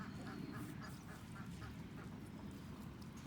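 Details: On a rainy morning, domestic ducks still shut in their pen beside the chicken yard quack in the background, a quick run of short nasal quacks fading after the first second, under a steady low rumble of rain.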